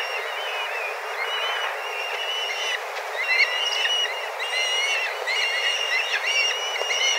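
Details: A flock of dozens of black kites wheels overhead, calling intensely while searching for food at a spot they visit at the same time each day. High, thin whistled notes overlap in wavering, repeated bursts over a steady background hiss.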